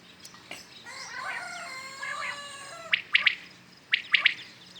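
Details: Common quails calling in the morning. Two crisp three-note phrases arrive after a stretch of other birds' whistled, sliding chatter.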